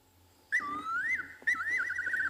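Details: Fiery-necked nightjar (Caprimulgus pectoralis) call played back at night: two clear, liquid whistles, the first slurring down then up, the second a quavering trill, with a faint hum underneath.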